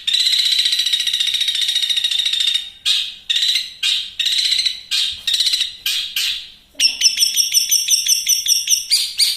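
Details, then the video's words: Long-tailed shrike in full, dense, fast song used as training material: harsh buzzy phrases repeated in bursts, then a rapid run of sharp chattering notes. "BURUNG CENDET MATERI TERBARU,SUPER GACOR+SPEED RAPET"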